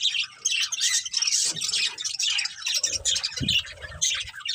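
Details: Budgerigars, a breeding pair with family, give fast high chirps mixed with harsher squawky notes, tumbling in busy overlapping chatter, and a short lower knock partway through.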